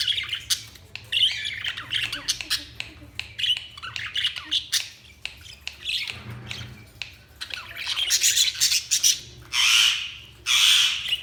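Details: Chirping budgies give scattered scratchy chirps and squawky bursts, with louder broadband squawks near the end and a low hum beneath.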